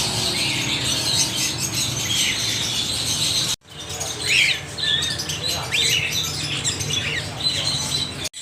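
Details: Parrots giving sharp squawks and rising and falling whistled chirps over a constant background hiss of many more birds; the sound cuts out briefly midway, then the calls resume.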